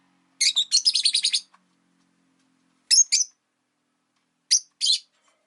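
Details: Rosy-faced lovebirds, five caged birds by a window in winter, calling with a rapid rattling run of about ten shrill chirps, then two short pairs of sharp squeaky notes after pauses.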